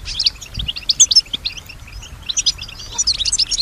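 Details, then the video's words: Female European goldfinch responding to nearby sounds: scattered high chirps and brief twittering notes, livelier at the start and end, fairly soft over low background noise. "Solutions to keep your goldfinch healthy and singing with strong stimulation"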